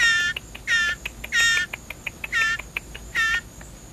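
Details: Rapid begging from a hand-reared blue jay fed tiny portions of ground beef: five loud, grating shrieks about every 0.8 seconds, separated by sharp clicking sounds.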